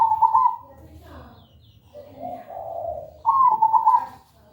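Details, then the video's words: ['Zebra dove song for training a bird to sing: a rapid trilled coo opens, softer lower cooing follows, then a second bright trilled phrase. Faint background chatter runs underneath.'] "Pancingan suara perkutut gacor"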